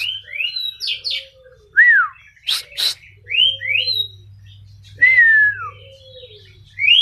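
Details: Champion oriental magpie-robin from Pati, let out of its cage to exercise as if in the wild: loud clear whistles sliding up and down, a few harsh buzzy bursts, phrases spaced by short pauses, with a low steady hum behind.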